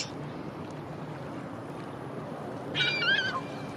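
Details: A herring gull trying, and failing, to tear open a plastic bag gives one brief, wavering, mewing call near the end, over steady wind and surf noise.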